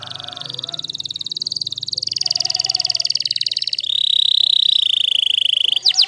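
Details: Waterslager canary singing a long, fast rolling trill of rapid repeated high notes that shifts to a smoother, steadier high tone near the end, over a faint low hum.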